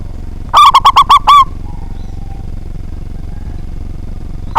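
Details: Big-voiced local zebra dove, kept as a lure to make rivals sing: one rapid burst of short, ringing coos ending in a longer note, followed by a long quiet gap before the next phrase starts right at the end.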